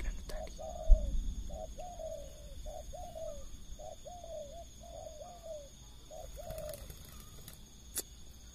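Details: Spotted doves cooing at 5 pm after rain, with four wild birds coming down together to a decoy and calling at one another. A run of short, husky, down-slurred coos repeated in quick succession, with a few knocks and clicks.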